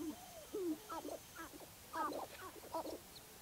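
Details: Sharp-tailed grouse at Baudette, Minnesota, giving low gurgling coos and clustered chattering clucks in short bursts about every half second, with a quiet background.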